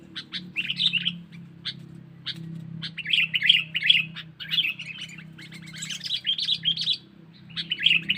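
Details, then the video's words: Sooty-headed bulbul lure call used to attract wild birds: bursts of bright chirps and short warbled phrases, repeated in clusters with brief pauses, over a steady low hum. "Suara Burung Kutilang Pikat Cengkeram"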